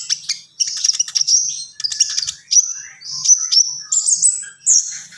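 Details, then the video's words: Common iora (konin) singing gacor: bright high whistled notes with rapid chatter between them, delivered in short phrases of about a second, some ending in upslurred whistles. "SUARA BURUNG KONIN GACOR"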